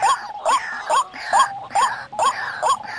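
White-breasted waterhen giving a steady series of hoarse, rising-then-falling notes, roughly two per second, with a rough, nasal tone.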